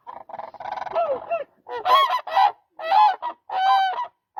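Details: Demoiselle crane, known as koonj, uttering a jumble of overlapping rattling notes that settle into four longer trumpeted calls with strong harmonics.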